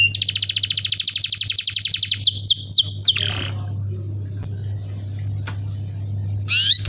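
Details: Canary song played to coax young canaries into singing quickly: a fast, even buzzy trill of rapidly repeated high notes for two seconds, then several sweeping down-slurred whistles, over a steady low electrical hum.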